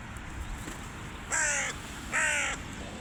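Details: Young hooded crows back after a snow storm: two harsh, drawn-out caws, each with a slightly falling, rasping tone, spaced under a second apart over a steady low background hiss.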